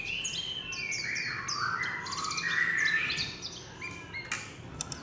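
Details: Warbling white-eye singing in líu chòe fashion: a dense, tumbling stream of high chirps and sweeping whistled slurs, some lower and fuller, running continuously for five seconds with sharp clicks near the end.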